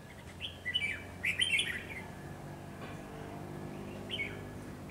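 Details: Decoy red-whiskered bulbul set out for trapping on 10 November 2020, giving bright bubbling whistled phrases, two clear bursts in the first two seconds, then a shorter lilting phrase near the end, over faint low hum.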